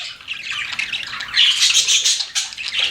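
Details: Pet budgies producing a harsh twittering warble with thin whistled squeaks in the middle, fairly continuous with a brief dip.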